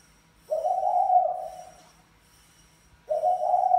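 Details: Mã Phấn spotted dove courting a Bài Lối female: two prolonged, rough coos, the first gently falling at its end, separated by a pause, with a faint steady high-pitched whine in the background.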